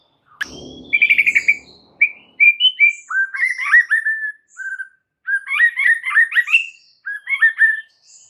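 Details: White-rumped shama in vigorous song, played to coax stalled or stressed birds into singing; a sharp click and rustle, then a trill, followed by varied whistled phrases, slurred downward notes and chattering bursts separated by short pauses.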